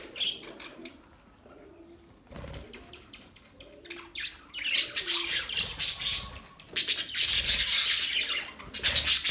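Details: Budgies start with scattered clicks and short chirps, then build into loud, rapid, scratchy chattering that peaks in the last few seconds.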